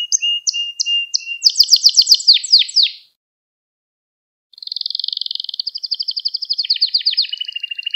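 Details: Pet canary song kept for training young canaries to sing: rapid high trills and sweeping notes for three seconds, a pause of silence, then a long buzzy trill that steps lower in pitch.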